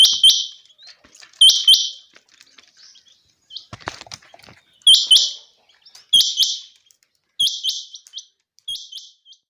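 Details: On a sunny, clear day, Chinga quail (batair) give repeated pairs of short, buzzy, high-pitched notes with crisp clicking onsets, spaced irregularly over about nine seconds. Soft rustles and clicks fall between the bursts.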